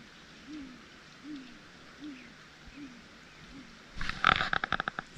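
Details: Great gray owl at night during an owl survey, one of two birds giving territorial hoots from different sides of a road while moving; five soft, low, evenly spaced hoots, then loud rustling and clattering noise close by.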